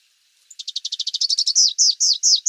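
A Rufous-capped warbler sings a fast, high series of chips that speeds up, then slows into louder, slurred down-sweeping notes.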